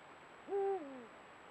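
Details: One of a pair of Eurasian eagle-owls at dusk, recorded by camera trap, utters a single somewhat softer hoot: a rising onset, a level hold, then a downward glide that trails away.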